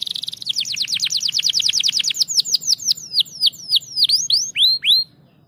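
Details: Canary singing a fast, loud series of falling whistled notes that gradually slow and lengthen into broader, downward-swooping tours, ending in a pair of rising-then-falling whistles.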